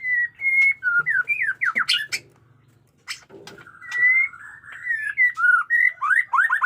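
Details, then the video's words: Caged white-rumped shama of the jenggot dewa type in fighting mood, singing batuk koral and muntah beling styles: bright slurred whistles and quick rising-falling notes, a harsh burst and pause midway, then a rapid run of whistled phrases. "pesona AURA MURAI BATU JENGGOT DEWA fighter abis Batuk Koral, Muntah beling murai bisu ngikut nYaut"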